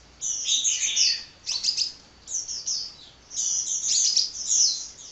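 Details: Sunbird singing energetically without pause, a high, thin twittering of rapid chirps and trills in bursts of about a second, separated by short gaps.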